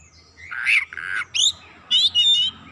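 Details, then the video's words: Oriental magpie-robin in lively gacor lure song with isian content: a drawn-out harsh buzzy rasp, then stacked sharp whistled notes and a rapid trilled whistling phrase. "PANCINGAN KACER LANGSUNG GREGET GACOR BONGKAR ISIAN"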